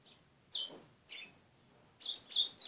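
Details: White-throated seedeater giving short, high, slightly slurred chirps, first spaced about half a second apart, then a quick run of three bright notes near the end, in a quiet setting.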